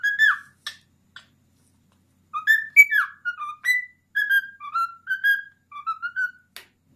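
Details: A 10-year-old male cockatiel whistles the Addams Family theme in clear, rich notes that slide up and down, with short pauses between phrases, in a quiet room.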